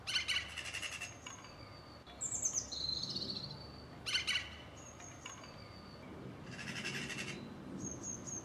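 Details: Mistle thrush in a garden, part of a visiting family with three juveniles and both parents; short grating rattles come in separate bursts several seconds apart, mixed with high squeaky chirps and thin whistled notes.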